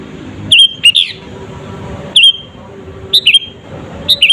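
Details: Sooty-headed bulbul singing a 'gacor' provocation lure for rival birds: clipped, loud whistled notes, some dipping then rising, given singly and in quick pairs with short pauses, against faint background noise.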